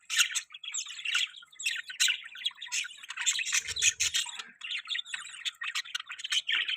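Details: Budgerigar chirping steadily in a rapid, scratchy warble of high chirps and squeaks, with a brief low thump partway through.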